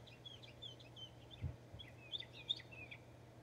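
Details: Northern mockingbird singing in Texas: a quick run of short, varied chirps and slurred whistled notes, high-pitched and irregular, over a steady low hum and faint background noise.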